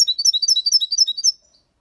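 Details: European goldfinch aged six months performing the clean Málaga copy song with quejas and ornaments, for stimulating young birds: a rapid, regular string of about a dozen sharp, high twittering notes lasting just over a second.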